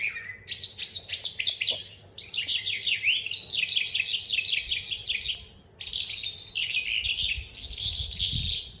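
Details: Young captive calandra lark being tutored and learning to roll its song; bright, rapid chirping phrases with quick trills and slurred notes, delivered in bursts of two to three seconds separated by brief pauses, with faint low background rumble.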